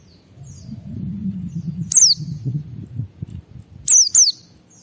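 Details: White-eye 'ngalas' song meant to prompt other white-eyes to sing: one thin, high, downward-gliding whistle, then a quick pair of similar notes, heard over a steady low rumbling background noise.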